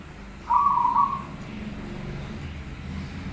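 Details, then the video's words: Master song of a prolific-singing zebra dove: a single rolling, slightly trilled coo of about 0.7 seconds at mid pitch, followed by low rumbling background noise. "suara Perkutut Gacor masteran"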